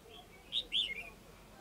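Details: Red-whiskered bulbul, one of a male and female pair being trained as decoy birds; the female is tamer, the male still wild. Two short, bright chirped notes, the second slightly longer and sliding, over quiet background hiss.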